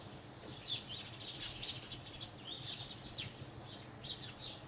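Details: Short stretch of house sparrow chirping: many quick, high, overlapping chips with a few sharper notes standing out above soft background noise.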